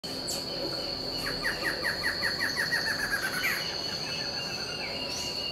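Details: Barred antshrike, one of a pair visiting a backyard in Itupeva, São Paulo, Brazil: a quickening run of short, falling nasal notes that ends in a brief upturned flourish, over a steady high insect drone.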